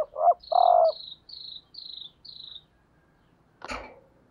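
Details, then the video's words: Female decoy spotted dove calling to attract males: short coos and one sustained low coo, overlapped by a run of five thin, high, descending chirps from another creature, ending with a sharp knock. "cu mái gáy kích trống hiệu quả"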